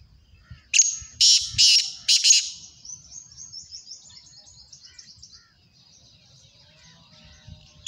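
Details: One grating phrase from a black francolin (kala teetar): a short note, then three or four loud rasping notes. A long, softer, reverberating high tail follows. Faint low rustling is heard throughout, and a sharp note starts again at the very end.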